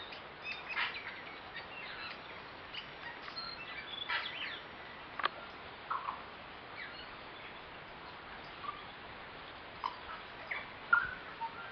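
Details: Tui, about eight birds, socialising together in a flowering kowhai tree in the Waitakere hills of West Auckland in spring: scattered whistles, sharp clicks and short wheezy notes come in bursts with quieter gaps, over faint background hiss.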